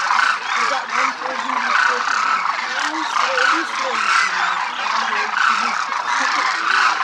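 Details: Demoiselle cranes in a large formation over Rajasthan: loud, rolling croaks repeating through a dense chorus, with lower honking, wavering notes from some birds running underneath.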